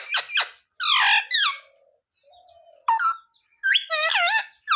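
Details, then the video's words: Pet parrot in India imitating human words such as sita-ram and jay shree ram, with harsh harmonic syllables in quick bursts, separated by short gaps, ending in a rising, wavering phrase. "Parrot talking sita-ram🚩parrot talking jay shree ram🚩सीता-राम 🚩जय श्री राम🚩mummy papa bolane wala"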